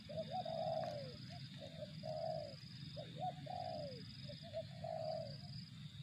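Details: Spotted dove giving 'target zong' style coos: short rising notes, then sustained mellow coos that bend downward, repeated in steady phrases over low rumbling background noise and a faint high tone.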